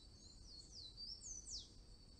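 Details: High, thin song of a blue-and-yellow tanager, a rapid string of squeaky slurred whistles that dip and rise, ending with two stronger descending notes, set against a constant shrill insect hum.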